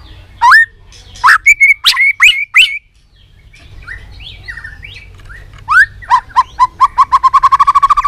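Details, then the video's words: Tail-flicking white-rumped shama in fired-up song: a few sharp whistles and chips, a quieter stretch of soft notes, then a fast accelerating train of repeated short notes. "Chòe Lửa tạch đập đuôi kích lửa cực sung. kích chòe Lửa lên lửa sổ giọng.chòe Lửa hót nhiều giọng"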